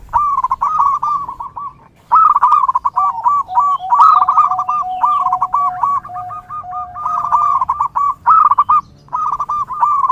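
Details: Zebra dove (perkutut) song for training and luring: bursts of quick rolling coo notes repeated in phrases, with a lower sustained trill running beneath in the middle, from several birds.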